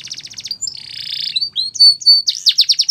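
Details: Canary singing: fast trills of repeated notes around high pitch, a buzzy rolled section, then sharp whistled slurs and a rapid run of rising-falling notes.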